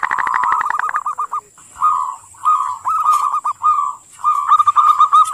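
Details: Zebra dove singing ngerot: a rapid rattling run of notes followed by several separate bursts of rolling, bubbling phrases with short silent gaps between them.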